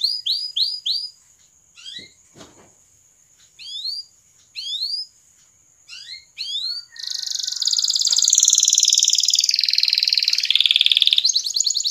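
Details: Canary singing to prompt other canaries into song: groups of quick rising chirps separated by pauses, then a loud, sustained, dense buzzing roll that runs to the end.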